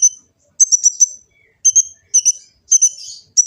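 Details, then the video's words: Phone recording from Gresik, East Java, of an olive-backed sunbird's full-filler training song: bursts of high ringing double and triple notes, evenly spaced about half a second apart, with a brief buzzy slur. "Kicau burung kolibri ninja full isian cocok untuk pancingan & masteran burung konin jadi gacor"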